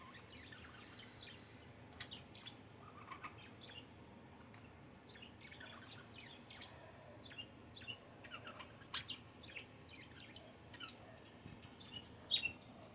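Budgerigars chatter in quick, scratchy chirps and warbles, with bright high notes spilling over one another.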